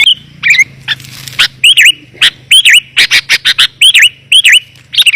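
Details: Lure call of sooty-headed bulbul, clear and closely spaced, used to bring wild bulbuls down: sharp dipping chirps and short whistled swoops in irregular bursts over a faint low hum.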